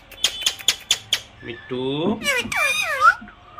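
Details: Pet parrot mimicking speech, saying "mummy"; after a run of sharp clicks, a voice-like harmonic phrase sweeps down and up, followed by higher, squeaky rising and falling syllables, recorded indoors.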